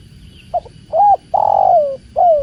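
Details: Spotted dove (tekukur) heard with the sound of water, one close phrase: a soft pick-up note, a rounded coo, a long croo sliding downward and a brief falling final coo, over low background murmur.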